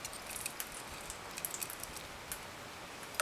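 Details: Soft hiss broken by light, scattered ticks and jangling clicks at irregular intervals, with no animal voices present.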